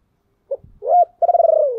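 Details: Spotted dove cooing to lure wild doves: a short clipped note, then a rising coo that levels off, followed by a long, slightly falling, pulsed and purring coo, in a quiet setting.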